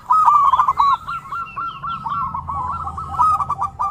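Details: Zebra dove (perkutut) song, a recording meant for training and luring zebra doves: rapid rolling, trilled coos repeated in a steady warbling phrase, with a low background hum.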